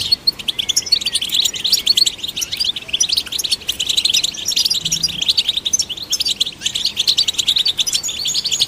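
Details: Singing European goldfinch, played to stimulate goldfinches: long unbroken stream of rapid, bright twittering and trills, evenly paced, with a faint low hum midway.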